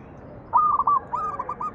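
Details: Lure song of a zebra dove for making other doves sing: a loud stuttered coo of rolled notes, followed closely by a softer, more distant answering phrase of similar beats.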